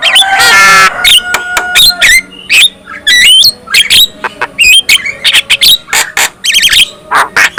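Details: Characteristic black-winged myna song, played to draw other black-winged mynas into singing: opens with a rough buzzy screech, then rapid chirps, twangy whistles and a fast stuttering rattle.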